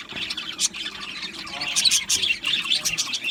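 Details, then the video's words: An aviary colony of budgerigars warbles busily: rapid high chirps, buzzy squeaks and a few louder squawks pile over one another without pause. "Beautiful Budgie singing and chirping sounds | Budgie parakeets sounds"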